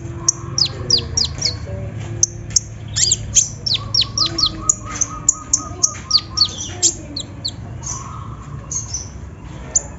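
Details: Olive-backed sunbird lure meant to prompt singing. Varied, scattered high chirps and downward-sweeping notes sound with a faint, evenly repeated lower piping in the middle and a light background hiss.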